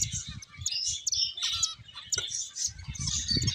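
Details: Several finches at play, giving a dense, overlapping chatter of high, thin chirps and twitters with no pauses, over a low rumbling background.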